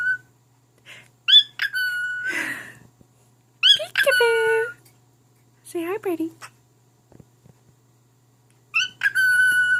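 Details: Indoor pet cockatiel, a male, performing for his mate: short whistled phrases and long held whistles, a breathy hiss, and scratchy talk-like bursts, with silent gaps between them.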